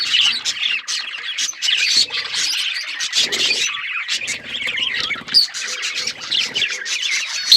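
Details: Chattering budgerigars keep up a dense layer of chirps and scratchy notes, with louder bursts and clear piercing whistles near the second, fifth and final seconds.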